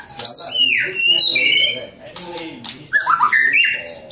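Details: Caged white-rumped shama (murai batu) kept for song contests, singing loud, varied whistled phrases: rich descending slurs, rising sweeps and sharp high notes in quick succession, with brief pauses between bursts.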